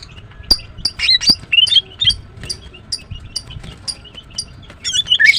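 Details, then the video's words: A female greater green leafbird (green cucak) chirps in the morning: a continuous, varied chatter of high twittering and squeaky notes, with faint ticking between the louder phrases. "The female Green Cucak bird is chirping well, GREATER GREEN LEARBIRD"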